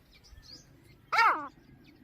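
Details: Grey francolin from a family with chicks: one loud, harsh, downward-sweeping note, rich in overtones, rising out of a quiet background.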